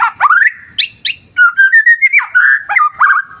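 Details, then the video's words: White-rumped shama in wild clear-river surroundings, delivering a dense phrase of mellow, fluting whistles: quick upward flicks, then a string of sliding notes wavering up and down in a lower, warm register. "Terapi Murai Batu Ala Alam Liar Sungai Jernih"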